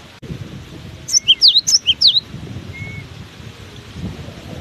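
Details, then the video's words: Cinereous tit in strong wind delivers one brisk phrase of about seven high, sharp, swooping notes lasting about a second, over a soft low wind rumble. "Diterpa angin kencang! burung gelatik batu ini tetap gacor"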